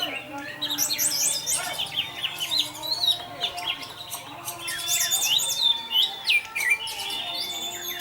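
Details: Orange-headed thrush, 'teler' style, serving as a lure for other thrushes: a steady, dense high warble of whistles and trills over a faint lower steady tone.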